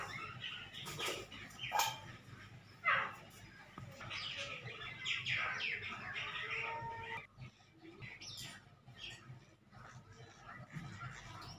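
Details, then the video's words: Black francolin chicks at play, giving scattered high chirping calls of uneven rhythm among broadband rustling and handling noise. "black francolin chicks masti | کالا تیتر کے بچے کی مستی"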